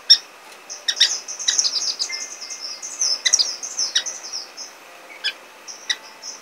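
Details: Orange-cheeked waxbill (Estrilda melpoda): thin, high slurred whistles in quick overlapping runs, broken by sharp clicking ticks at irregular intervals, against a quiet steady hiss.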